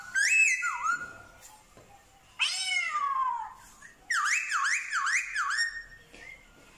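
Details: Black-throated laughingthrush in Vietnam, a trained bird singing and mimicking dogs, cats and chickens: loud whistled phrases, a flat held note dropping into a dip, then a sweeping descending slur, then four bouncing rising-and-falling notes.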